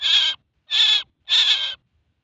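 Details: Three harsh, rasping notes from a male common myna, each lasting roughly a third to half a second, spaced evenly, followed by silence.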